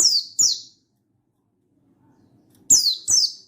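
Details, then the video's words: Buxtoni-type mountain white-eye calling out to a rival in gacor ngalas song, recorded 16/8/22: two pairs of bright, steeply descending notes separated by a silence of about two seconds. "Burung Buxtoni Gacor Ngalas Memanggil Lawan"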